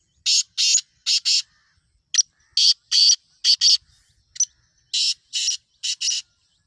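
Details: Kala teetar, the black francolin, giving short grating noisy notes in pairs, roughly two bursts then a pause, repeated about every second, in an otherwise quiet setting.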